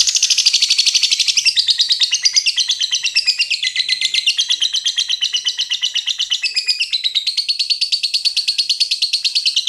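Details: Lovebird giving the long ngekek chatter: an unbroken run of shrill, rapid rasping notes repeated about three times a second for nearly ten seconds, steady in pitch, with no other sounds.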